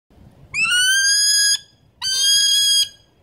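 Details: A male New Zealand falcon's call slowed down: two drawn-out, harsh, ringing notes about a second long, each slightly rising, with a short pause between, over a quiet background.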